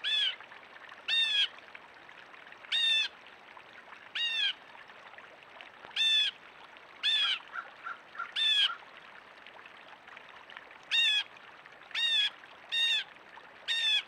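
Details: Squawky blue jay calling from a backyard, a long series of about fourteen harsh, grating jeers, some single and some in quick clusters of two or three, with a continuous hiss behind.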